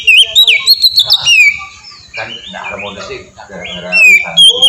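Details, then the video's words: Kacer (oriental magpie-robin) singing ngeplong as training material: sharp whistled sweeps open the passage, followed by a muddled, harsher section with low rough sounds before clear whistles return at the end. "suara burung kacer ngeplong merdu sangat ampuh buat pancingan kacer bahan bikin cepat gacor"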